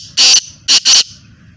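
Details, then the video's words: A loud, harsh, scratchy black francolin (kala teetar) call from Hyderabad, Sindh: one long grating burst followed by two shorter ones close together, over a quiet background. "kala teetar ki awaz"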